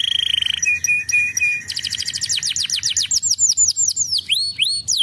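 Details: Canary song played as a lure to prompt young canaries to sing: a fast buzzy trill opens, then a few short flat whistled notes, then a long quick run of high notes sweeping downward, ending in rising slurs.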